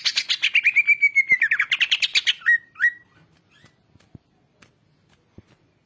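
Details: Greater green leafbird song used as a master recording for training birds to sing: a rapid burst of bright chattering notes sliding down into a clear whistle, two short whistled phrases, then near silence with faint clicks.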